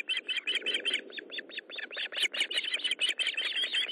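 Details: Osprey at the nest during a fish delivery on 13 July 2012 at 20:15: a rapid run of sharp, high chirps, nearly three per second, uneven in spacing and growing louder, with a soft low hiss beneath.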